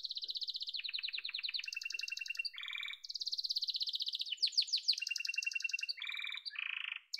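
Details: Yellow domestic canary in sustained song, alternating rapid rattling trills at different pitches with short whistled notes and buzzy rolls, tour changing every second or so, no other sounds.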